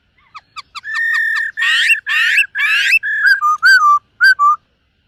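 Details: Black-throated laughingthrush in morning song practice, singing while dancing. Short sharp notes speed into long buzzy, harmonic-rich whistled trills, then end in a string of clear, slightly dipping whistles.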